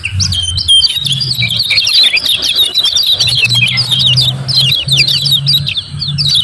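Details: Lemon-bellied white-eye in full, fast song used to stimulate lazy birds to sing: a dense run of high twittering, sweeping notes with a low hum in the background.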